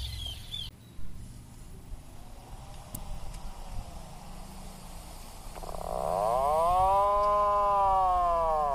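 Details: Atlantic puffin giving a long, loud, low groaning call with stacked, arching tones in the second half, after several seconds of quiet rumbling background.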